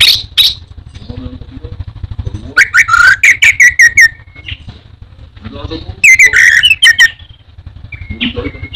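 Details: Indonesian orange-headed thrush singing: two brief high notes, then rapid strings of bright whistled and chattering notes in two bursts with short pauses, a faint low hum running beneath throughout.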